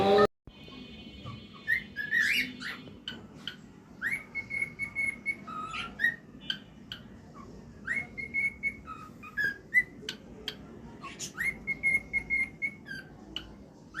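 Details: Male cockatiel singing: a string of short, clear whistled notes, some held briefly at one pitch and others sliding, with sharp clicks between them and a low indoor hum underneath.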